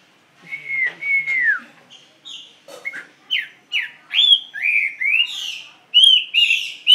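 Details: Drawn-out falling whistles from a caged Chinese hwamei, then a string of separate, varied, upward-sweeping whistled notes that grow louder and richer.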